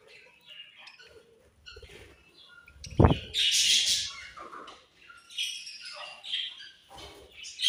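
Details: Australian budgie parrots chirping: scattered high twittering notes, then a sharp knock and a dense burst of warbled chatter, followed by more scratchy chirps.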